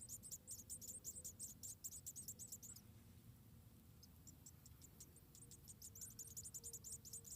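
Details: White-headed tit chicks, about four in a nest in Indonesia, begging as the mother feeds them one by one: rapid bursts of thin, high, downslurred chirps, a pause mid-clip, then the chirping resumes, over a low steady background hum.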